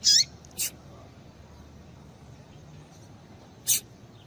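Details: Female Yellow-bellied seedeater calling to rouse males into song: a bright chirp and a quick thinner note at the start, then silence until one more sharp high chirp, with steady faint hiss.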